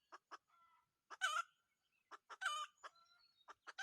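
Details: Wild red junglefowl rooster, caught with a decoy: sharp broadband clucks in pairs, then a louder harsh buzzy burst around 1.2 and 2.5 seconds, with a thin steady whistled tone between them.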